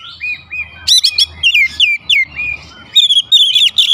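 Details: Kept Oriental magpie-robin at home pouring out an energetic, high whistled song: clear slurred notes, swooping sharp phrases and rapid chattery runs in close succession, with a faint low hum behind.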